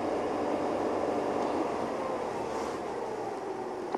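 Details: Steady broadband rumble and hiss of a vehicle at sunrise on a safari drive in Sabi Sand, with no animal calls.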